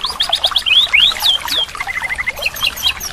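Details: White-rumped shama song from a training recording meant to restart a silent bird: quick series of short high notes and sharp whistled slurs, densely packed, with softer chatter in between.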